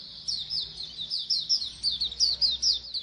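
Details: Group of white-eyes (pleci) twittering, used to stimulate singing: quick high chirps repeated several times a second, overlapping birds, steady low hum behind.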